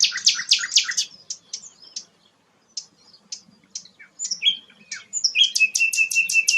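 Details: Song of the rare sikatan londo flycatcher: loud buzzy chattering notes, a pause of scattered thin ticks, then a sweet whistle and a fast series of high clipped notes.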